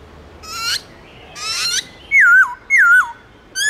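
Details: Caged black-throated laughingthrush in forest-style song: two raspy, rising rattles, then loud clear whistles sliding downward, spaced about half a second apart.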